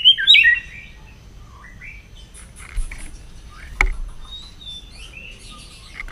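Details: White-rumped shama singing in the morning during voice training: a loud burst of bright, rapidly modulated whistled notes opens, followed by scattered softer whistles and chirps, a sharp click, and low background rumble.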